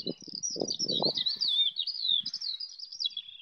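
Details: Eurasian skylarks singing while flying above an English wheat field near Bath, phone-recorded: a continuous, high, rapidly shifting warble of slurred chirps and rolling trills, with low buffeting wind bursts early on.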